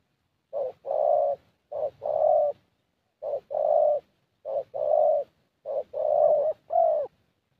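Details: ["Young 'thổ' Spotted Dove with a fairly good voice at a decoy meet-up in Gia Lai, Vietnam, cooing steadily: about five low two-part phrases, a clipped note then a fuller held note, repeated roughly every second and a half."]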